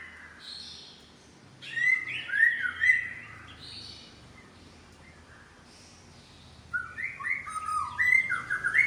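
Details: White-rumped shama of the Medan type showing its imitated repertoire, with two bursts of quick chattering and twittering notes separated by a few seconds of near silence.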